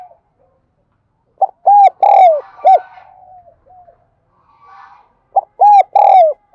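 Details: Spotted dove, a lure bird of the thổ đặc voice type, cooing to call wild doves in: a short phrase of three or four loud, mellow, hollow coos, a faint low trill between, then the phrase repeated about four seconds later.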